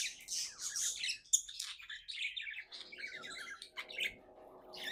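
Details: Pet budgie, described as happy, giving continuous rapid chattering warble of buzzy chirps and clicks, with a faint low hum underneath in a small room.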